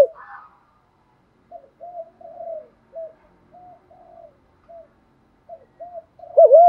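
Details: Captive-training coo of a spotted dove in the bronze voice style: a series of short soft low coos spaced by pauses, ending in a sudden loud wavering note.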